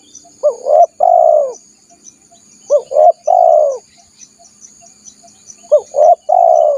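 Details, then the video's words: Spotted dove lure call for attracting wild doves: three repeated cooing phrases, each two short quick upward notes followed by a longer purring coo, spaced about two and a half seconds apart, with faint high insect hiss behind. "SUARA PIKAT BURUNG TEKUKUR PALING AMPUH || PANCINGAN TEKUKUR LIAR"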